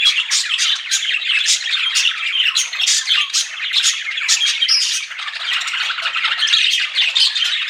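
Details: A chorus of pet budgies chirping in flirtation: fast, jittery tweets and warbling squeaks pile up densely, swelling and easing slightly but never stopping.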